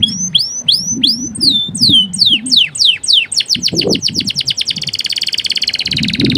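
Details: Male canary master song: repeated loud whistled sweeps that accelerate into a rapid, even trill, ending in a sustained buzzy roll, while gentle water sounds bubble underneath.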